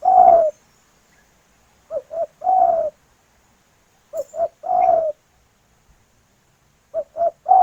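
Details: Female spotted dove calling for the male in natural surroundings: repeated three-part phrases, each two quick low coos then a sustained mellow coo sloping downward, about every two and a half seconds.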